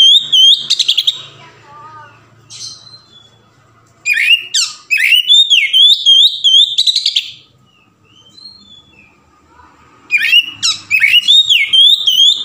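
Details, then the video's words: Oriental magpie-robin (kacer) singing in the open, full 'ngeplong' varied style, played as a lure to prompt other magpie-robins to sing. Loud, rich whistled phrases with quick trills, slurred up-and-down notes and chattering bits, in three bursts separated by quieter pauses. "SUARA KACER NGEPLONG VARIASI"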